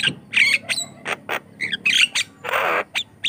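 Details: Lively Javan myna singing, meant as a lure and training song for untrained mynas: a jumbled run of harsh squeaks, rasps and short whistles, broken by a long hissing screech near the end.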